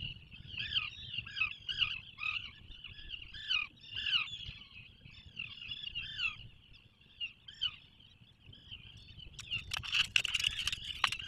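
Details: Atlantic puffin inside its breeding burrow offshore from Maine, 2024: a series of wavering nasal notes with down-curving harmonics roughly every half second, ending in crackling scuffing noise.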